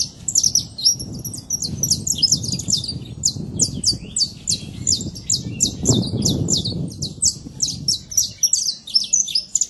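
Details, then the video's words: Saffron finch singing in nature, free: long series of rapid high chirps and slurred notes repeated steadily for nearly ten seconds over low background noise. "Canário da terra livre na natureza"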